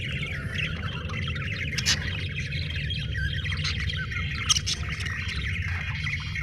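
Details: Several budgerigars keep up a soft, scratchy warbling chatter with a few brief clicks, partly masked by a strong low droning hum throughout.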